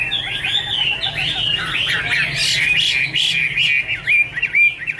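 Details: Chinese hwamei singing loudly, wavering whistled phrases rising and falling in rapid succession, ending in clear, looping whistles, over a faint low hum.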